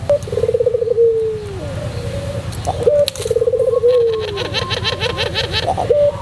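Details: White pelung Barbary dove performing its song for a tutor recording: rolling trilled coos sliding into drawn-out falling notes, twice, followed by a stretch of quick rhythmic pulsing sounds.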